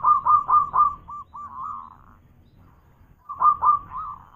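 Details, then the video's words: Local zebra dove, a loud singer, giving its cooing manggung song: a series of low, rounded, bubbling coos, a pause of over a second, then another burst of similar coos. "Suara Manggung Perkutut lokal gacor suara keras"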